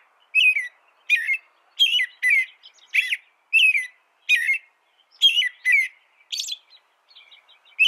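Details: American robin singing: short whistled, warbling phrases of two or three slurred notes, delivered in separate bursts about every half second to second, roughly a dozen phrases, with a clean, quiet background.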